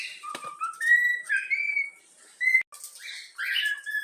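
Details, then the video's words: A young yellow-cheeked cockatiel, home-trained, whistles a few rising notes of the Flamengo anthem, broken by clicks, a short silence and a harsher squawk-like note near the end. "Bochecha amarela cantando o hino do flamengo"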